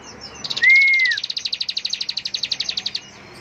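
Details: Ngebren song of the bar-winged prinia (ciblek): a rapid rattle of sharp high pulses, about ten a second for over two seconds, opening with one long gently arched whistle; a man's voice in Indonesian.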